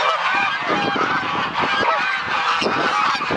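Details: Geese at a goose refuge in Dalen, Netherlands, stirring awake on a bright winter morning: nasal honking calls pile on top of one another in an unbroken chorus from the whole flock.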